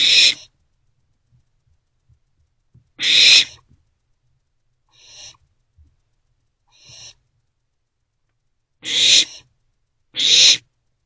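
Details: Three owlets remaining in their nest box on the morning of 13 April 2024 give loud, short, hissing screeches at irregular intervals, with a couple of quieter hisses in between and otherwise silence.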